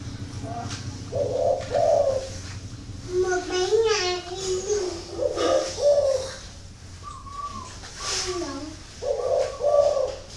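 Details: Spotted dove kept at a bird farm near Hanoi in northern Vietnam, repeating short low coo phrases several times, with people talking in the background between the calls.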